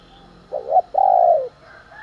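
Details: Spotted dove cooing to provoke fighting and calling in the morning: a short double-noted low coo followed by a longer, smooth, slightly falling coo, with a faint hum underneath.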